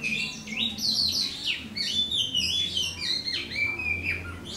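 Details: Morning song of a lone Oriental magpie-robin (white-bellied form): a continuous stream of loud, varied whistles with quick downward slurs and upswept notes, phrases changing every second or so, over a faint low hum.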